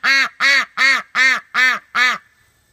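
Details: A female Welsh Harlequin duck, held and calling for her flockmates, gives six loud, harsh quacks in a steady run, about three per second, each a rasping, nasal burst.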